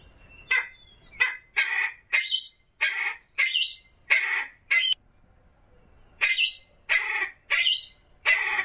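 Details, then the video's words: Common pheasant uttering short, sharp, harsh squawks about every 0.7 seconds, eight in a row, then a pause of over a second before four more, in a quiet setting. "Фазан. Голоса птиц"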